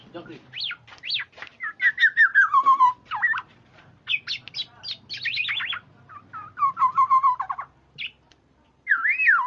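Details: Black-naped Oriole used as a lure to get other orioles calling. A busy, varied stream of quick whistled notes, slurred trills and rolling phrases runs almost continuously, ending in a looping fluted whistle.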